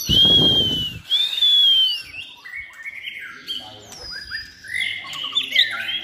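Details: White-rumped shama in its third moult season, trained for singing contests; a short rough noise opens, then two long, pure whistled notes, followed by softer stepped phrases and thin high flourishes.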